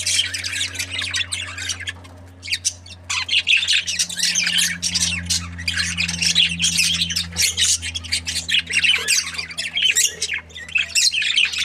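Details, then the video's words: Breeding pair of budgies, described as happy, keeps up dense nonstop chatter of scratchy chirps and warbling squawks, with a low steady hum underneath. "Happy budgie chirping sounds 🦜| breeding pair"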